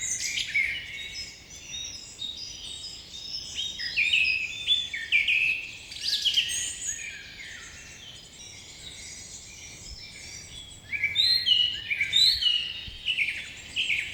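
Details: Morning birdsong: many small birds chirp and twitter at once in dense clusters of high, quick notes. The chorus swells, thins out for a few seconds, then picks up again strongly.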